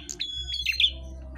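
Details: A captive red-headed prinia gives a quick burst of thin, high chirps and sharp whistled notes in barely a second, over a low steady hum.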